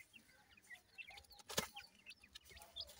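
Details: Grey francolin chicks feeding and playing, giving soft, high, short chirps scattered through the moment, with one sharp loud click near the middle and faint tapping sounds around them.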